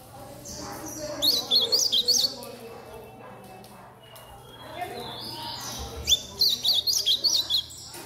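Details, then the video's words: Captive-bred young Chestnut-bellied seedeater singing a blue-black grosbeak's song: two bursts of quick, high, bright warbled notes, about four a second, separated by a pause, over a low steady hum. "FILHOTE DE GOLINHA BREJAL CANTANDO DE AZULÃO"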